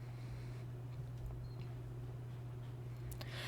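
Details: Quiet indoor hum with a steady low drone and a few faint clicks; no animal voice.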